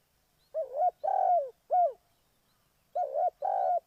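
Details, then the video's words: Decoy spotted dove for trapping: hollow, low-pitched coos in short bursts. Hooked short notes are followed by longer, slightly falling coos, with a gap of about a second before the next pair. "Cu gáy Ninh Thuận,นกเขาใหญ่สายต่อดิน"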